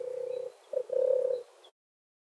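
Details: European turtle dove giving its deep, rolling purr, two vibrating trilled phrases separated by a short gap, with faint distant bird notes behind.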